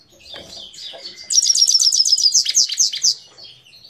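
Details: Parachinar Himalayan goldfinch song: soft twitters lead into a sustained, very high, rapidly pulsing trill of bright tinkling notes, then tapering off into quieter chatter.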